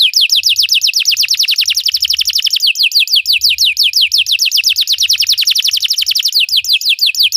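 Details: Belgian canary, recorded singing to encourage other canaries to sing: a long, unbroken, very rapid roll of high descending whistled notes, dense and steady throughout.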